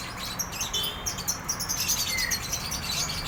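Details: Drongo (sri gunting) singing gacor style, a run of fast high chirps with one rising whistled slur near the middle, over steady low background hum.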